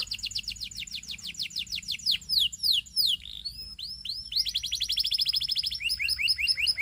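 A Belgian canary sings fast rolling trills of bright, high downslurred notes, shifting between tours and phrases with a few sharp chirps, with no other sounds.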